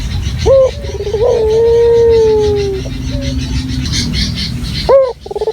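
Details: Local dove in a clear, natural lure recording: a short rising note and a long, smooth, slightly falling coo, then a low hum and faint rustling before a brief clipped note returns at the end.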